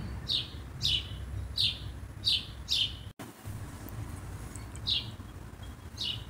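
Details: Scolding common blackbird: a series of short, sharp, downslurred chipping notes about every two thirds of a second, five in a row, a brief dropout, then two more after a pause, over a low steady rumble.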